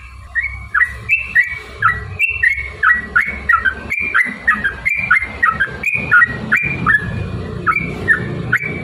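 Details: Yellow-vented bulbul lure song meant to make other bulbuls sing and fight: a run of quick, gurgling two-note phrases repeating steadily, set against noticeable broadband background noise and low rumble.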